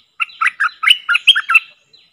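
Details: A caged decoy bulbul, one of four birds described as forest-caught, gives a lively chattering phrase. About ten short, husky, bubbly notes follow close together, with a faint high whistle underneath.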